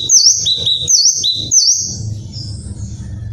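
Kinoi giving sharp, very high chirps, each a quick swooping slur, three in fast succession about every half second, with a faint low rumble underneath.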